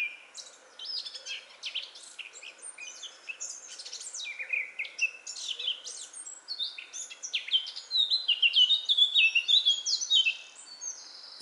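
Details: A Eurasian blackcap singing in Metbroekbos woodland near Smeerling, Westerwolde, Netherlands, in early April 2017, gives a fast, scratchy warble that swells into a louder run of clear, fluted whistles near the end, over a faint steady hum.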